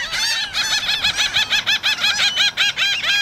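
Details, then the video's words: Seagulls and black-headed gulls yelling, recorded with a Rode Stereo VideoMic, in a rapid, choppy stream of short, arched, squealing cries, about three per second, loud and steady throughout. "Loud Bird Sounds, Seagulls Yelling"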